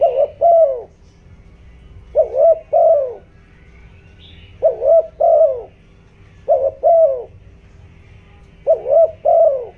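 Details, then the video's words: Decoy spotted dove giving its 'giọng đồng' lure call to excite wild birds. Five doublets of deep, rounded coos follow each other steadily about every two seconds; a faint droning hum runs underneath. "tiếng chim cu gáy kích bổi, tiếng chim cu gáy giọng đồng ,tiếng chim cu gáy hợp bổi"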